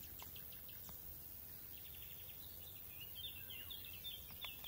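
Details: European bee-eaters at the Isonzo river mouth nature reserve (Izliv Soče) on 22 June 2023, giving soft, rolling overlapping chirps in quick succession against a steady low hum.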